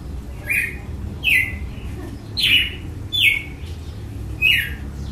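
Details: Red-cowled cardinal giving its açoite song, five loud descending whip-like notes spaced about a second apart, clear over a quiet low background.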